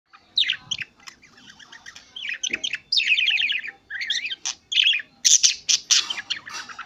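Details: A male budgerigar chirping alone chirps busily, mixing rapid warbled trills with sharp high squeaks.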